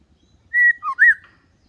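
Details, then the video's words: White-rumped shama song used as a tutor for young birds learning to sing like adults, kept calm rather than aggressive: one short whistled phrase of three notes, a steady high whistle, a dip, then a rising-falling note. Quiet background. "Pancingan murai batu || khusus trotolan agar belajar bunyi"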